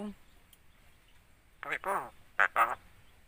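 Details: Caged starling imitating a human greeting, producing a short burst of hoarse, voice-like syllables with a nasal, quacking quality, two quick clusters near the end after near silence.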